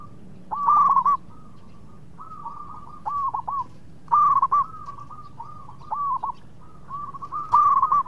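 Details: Local zebra dove song used as a lure so competitors answer quickly: repeated phrases, each opening with a loud rippling burst and trailing into softer hooked coos, about every two seconds.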